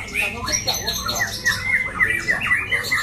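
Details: A white-rumped shama bred for song competitions repeats short, slurred whistles at a brisk, uneven pace, several notes per second, over a faint low hum.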